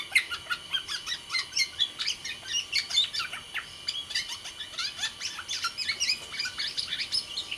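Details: Sumbawa black-naped oriole in full, lively song: dense, even bursts of high, clipped chirps and twittering notes pulsing about four times a second throughout.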